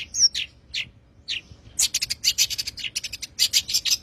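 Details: Long-tailed shrike 'tembakan' song, used for training songbirds: a few separate harsh, rasping notes, then a quick run of sharp, scratchy chips repeated in rapid succession.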